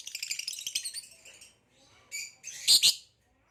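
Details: A caged green hybrid male Nyasa lovebird, purple-rumped, calls with a dense run of high buzzy chattering notes that fades, followed by a few louder shrill squeaks.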